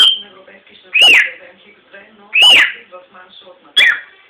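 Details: Caged cockatiel giving three loud, harsh rising-and-falling shrieks about one and a half seconds apart, over a soft murmur of low voices or household sound.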